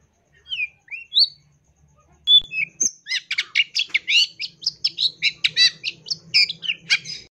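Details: Long-tailed shrike song full of fill-ins: a few scattered whistled slurs, then a steady stream of rapid, harsh chattering bursts repeated about three per second over a faint low hum.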